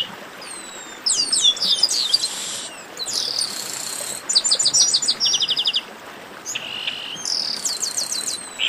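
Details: Chestnut-capped blackbirds clamouring together, a fast tumble of piercing chirps and metallic trilled series, one stretch of evenly repeated clipped notes, then a buzzy held tone and more whistles.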